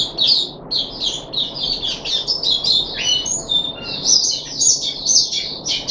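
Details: Puff-backed bulbul in captivity, third day of a deworming course in July 2021, delivers a rapid, varied warble of high chirps, short whistles and chattering notes.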